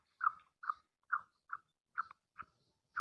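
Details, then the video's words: Female black francolin giving her call to excite the male: seven short, soft chip notes spaced about half a second apart, fading slightly, in otherwise quiet surroundings, ending with a sudden thump. "Kali Madi ki awaz|Titar ko Mast krny wali awaz"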